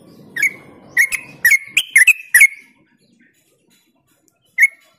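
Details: Yellow-vented bulbul song used as a lure for other bulbuls: a quick burst of five or six gurgling, bubbly notes with level whistled tails over low background murmur, then silence and one final note.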